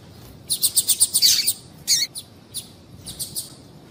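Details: Female double-collared seedeater calling to warm up the male for singing; a fast, rhythmic string of thin high notes, then a brief buzzy note and a few softer spaced chirps.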